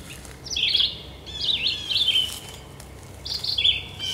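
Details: A Red-eyed Vireo at the Cornell Lab of Ornithology, New York, gives four short, slurred, high-pitched phrases, each rising then falling, separated by brief pauses, over a quiet background.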